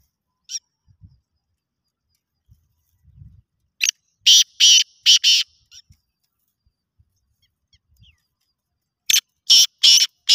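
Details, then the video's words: Black francolin (kala teetar) calling in a voice competition: two loud chakri phrases about five seconds apart, each four or five harsh, grating notes in rapid rhythm, with faint low thumps and scattered soft notes between. "Kala teetar ki awaz ka muqabala, black francolin voice competition, Kala teetar ki chakri ki awaz."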